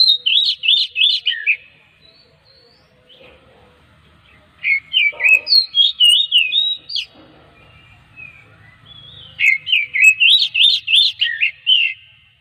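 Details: Song of an Oriental magpie-robin played to make other magpie-robins sing: three long bursts of fast, looping whistles, each of around ten notes, separated by quieter spells with faint chatter and low rumble.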